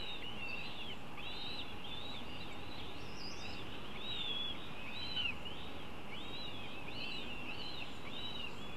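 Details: Northern goshawk at a nest while young are being fed gives thin, high, arched calls repeated roughly once a second in a steady series, over a constant low rumble of background noise.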